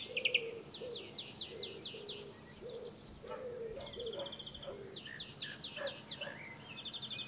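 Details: Song thrush singing in France, adult with a juvenile: varied phrases of high, clear notes, each repeated two to four times, including a fast rattling trill, with low hollow cooing underneath.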